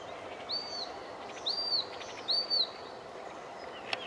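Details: Icterine warbler singing: three clear, high arched whistles spaced about a second apart, with a brief sharp click near the end over a soft background hiss.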